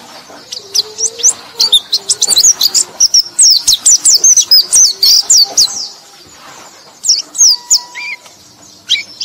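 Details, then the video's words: High, rapid twittering of a white-eye, played as a lure for sluggish white-eyes; a busy burst of thin chirps and slurs, then a pause and a few sparse notes, with a faint steady lower tone underneath. "KICAU BURUNG PLECI - Untuk Pancingan Burung Pleci Lelet"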